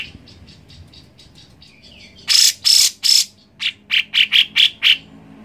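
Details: Grey-cheeked bulbul played to encourage a reluctant bird to sing: faint chips, then three loud, rasping notes with a whistled streak inside, followed by a quick run of sharp, ringing chips.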